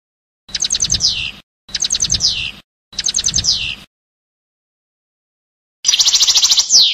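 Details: European goldfinch in its passade song: three identical phrases of quick chattering trill capped by a descending slurred whistle, then a denser, brighter trill after a pause.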